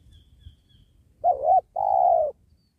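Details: During trapping of wild doves beside a sacred tree, a spotted dove gives one two-part coo after quiet low noise: a quavering first note, a brief gap, then a drawn-out mellow note easing downward.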